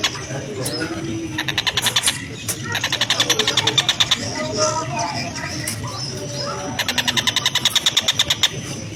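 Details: A tengkek buto (Oriental dollarbird), kept as a song model for other cage birds, gives three bursts of coarse, rasping chatter at a slow, even speed: rapid clicky notes run together over a low hum.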